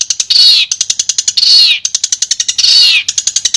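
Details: Madura long-tailed shrike in a clear masteran recording. Long, harsh, downslurred squealing notes alternate with bursts of rapid sharp ticking, in a loud and high-pitched pattern.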